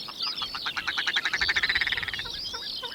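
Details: A red grouse of the heather moorland gives its harsh cackling rattle, the sound used to locate grouse: rapid nasal notes that run together and speed up, then break into a few slower, separate croaks.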